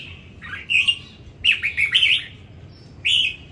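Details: Red-whiskered bulbul, a caged competition bird from Đồng Nai, Vietnam, sings a quick run of clear rolling notes, then one final whistled phrase after a brief silence.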